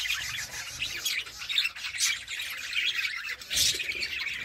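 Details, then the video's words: Budgerigars from a colony giving rapid bright chirps and wavering warbled notes, several birds overlapping, with a few louder squeaky bursts near the middle and end. "Beautiful budgies sound"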